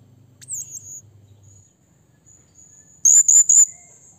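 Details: High wavering squeak from a blue-crowned hanging parrot calling a rival, followed after a pause by three rapid shrill notes in quick succession.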